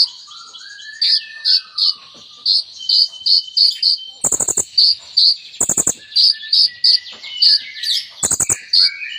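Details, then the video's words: Sunbird known locally as kolibri ninja, singing a song rich in copied ciblek and cililin phrases: a steady string of bright high chips, a quick falling whistle at the start, and three sudden buzzy rattles. "KOLIBRI NINJA GACOR FULL ISIAN MEWAH"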